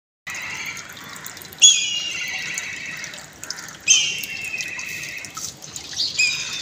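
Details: An eagle whistling on a building roof gives three loud, thin, descending whistles about two seconds apart over a steady hiss that sounds like running water.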